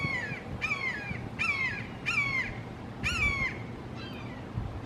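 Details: Three red-shouldered hawks calling long and loudly in a Florida backyard: six strong, harsh downslurred screams, each about half a second, repeated roughly every 0.7 seconds, over a faint low hum.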